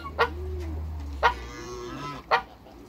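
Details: Two African geese in a backyard with other waterbirds; three short sharp honks about a second apart stand out above softer cooing calls and a low hum.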